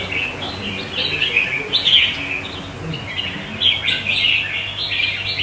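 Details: Red-whiskered bulbul in a cage among other birds, giving loud warbling chirps in short irregular phrases about every two seconds, clear and bright over light background murmur.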